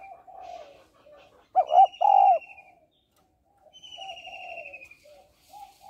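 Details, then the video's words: A female spotted dove gives a loud, low, two-note coo early on, then quiet warbling notes. Faint high whistles slide gently downward above. The calling is meant to stimulate males. "Cu gáy mái kích trống/ tiếng cu gáy mái kích trống hay"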